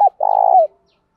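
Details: Spotted dove coo, part of a recording of male and female doves used by bird keepers to stimulate other doves to call: a short opening note, then one long, even, slightly throbbing low coo that dips at the end.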